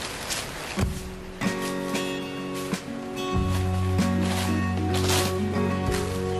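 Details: Instrumental music with sustained layered tones and periodic percussive hits; no animal voice is heard.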